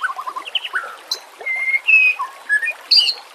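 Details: Harsh 'nembak' style song of a White-rumped shama: a quick run of low chips, a dropping whistle, then sharp high bursts and long flat whistles.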